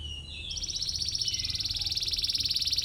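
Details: Canary chirping for a rival, a training recording for young canaries. A softer, thin high trill rises in pitch and holds as a steady, evenly pulsed buzz throughout.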